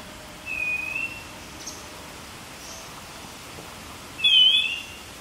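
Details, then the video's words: At Fraser's Hill, Pahang, Malaysia, June 2023, a streaked wren-babbler gives a soft short whistle, then after a pause a louder, higher whistled note overlapping a lower one, against a quiet hissing background. "Streaked Wren Babbler call song sound"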